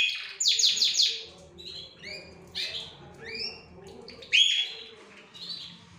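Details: Canaries of several breeds, Larquet, Scotch Fancy, frosted and silver agate, in a caged stock gallery, singing in rapid high chirps, buzzy trills and rising whistled notes, several birds overlapping against a faint low background hum.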